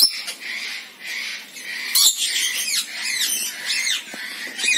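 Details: Rainbow lorikeet calls: sustained harsh, buzzy screeches with rapid shrill chattering notes over the top, loud and nearly unbroken, suggesting several birds calling together.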